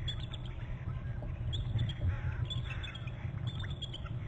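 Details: Adult bald eagles at their nest on Hornby Island in November, both trilling as one parent flies off and returns and the other arrives; thin, high chittering notes in short bursts over a heavy low rumble.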